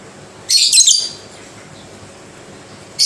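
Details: Single scratchy, buzzy chatter from a pet lovebird lasting about half a second, followed by quiet and the start of another burst at the end.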